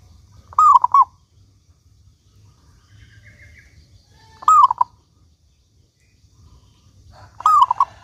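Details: Local zebra dove singing strongly as a lure to set other doves calling: three cooing phrases roughly three seconds apart, each an upward-sliding coo and two rapid lower notes, with soft low background hum.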